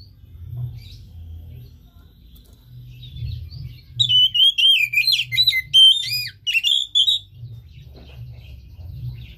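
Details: Oriental magpie-robin song played to stimulate a lazy caged bird to sing: a burst of loud, varied whistled phrases with rapid up-and-down slurs and trills lasting about three seconds, set between quiet stretches with low background hum.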